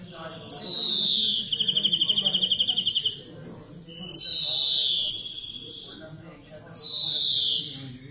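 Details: European greenfinch song: three loud descending wheezy notes, each dropping from high to mid pitch, the first followed by a rapid even buzzing trill about two seconds long; low murmuring background noise throughout.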